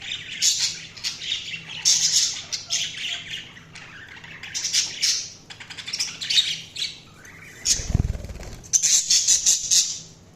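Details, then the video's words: Chirping budgies deliver bursts of buzzy, high warbling chatter with quick squawks, a brief low thump or flutter around the eighth second, then more rapid chirps. "Budgies Sounds| Budgies Chirping sound"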